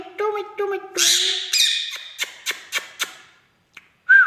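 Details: Talking Indian ringneck parakeet indoors: nasal, speech-like harmonic syllables, a harsh raspy squawk, evenly spaced clicks, then one sharp rising whistle at the end.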